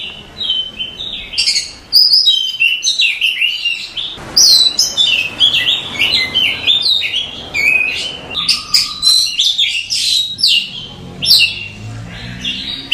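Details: Masteran song of a white-rumped shama, used for training cage birds: a long, lively medley of sharp whistles, rapid chips and buzzy trills, delivered in dense bursts with brief gaps.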